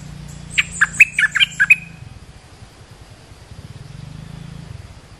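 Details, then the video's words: Lure call of an olive-winged bulbul, used to teach young birds and attract wild birds: a lively burst of about eight chirpy, bouncing notes in one second, then only a steady low engine-like hum. "เสียงนกดอกแตงEp.248 เปิดหัดลูกเสอ ลูกใบ้ เสียงเรียกนกป่า Suara pikat merbah lekir gacor"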